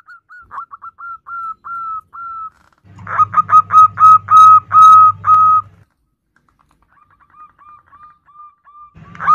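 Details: Female zebra dove calling the male: a soft string of clipped coos, then a loud bright run of long level whistled notes over a low hum, fading to faint quick notes and a final burst.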